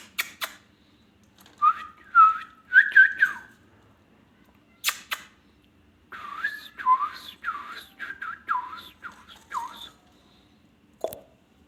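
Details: Ringneck parrot indoors giving wavering whistled notes, then a quick run of varied rising and falling whistles, with sharp clicks and taps in between.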